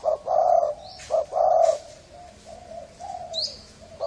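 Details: Hoarse-voiced Thai-strain spotted dove cooing to lure birds. A short note and a long note are followed by a quieter, softer string of low coos trailing off, with faint high twitters behind.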